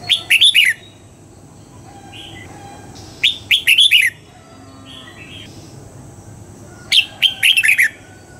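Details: A red-whiskered bulbul gives its morning song in the double-note wild style, meant for training: three crisp phrases of five or six fast whistled notes, spaced about three seconds apart, with faint soft chirps between them.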